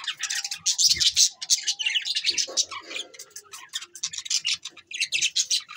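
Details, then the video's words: Standup budgies from December 22, 2023 keep up rapid, high-pitched twittering: clicky chirps and scratchy warbled notes in quick runs, with occasional soft low taps. "Bueatiful Sounds Bueatiful Budgies birds"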